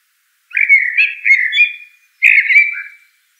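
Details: Smooth, fluty warbling from a Eurasian blackbird: one long rolling phrase of low whistles followed by a shorter second phrase after a brief pause; quiet surroundings.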